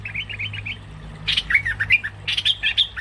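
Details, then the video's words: Trapping lure call of a cream-vented bulbul, with soft chirps at first, then bursts of loud, bright, squawky notes in quick clusters, and a low background hum. "Suara pikat burung MERBAH LEKIR ngebrend"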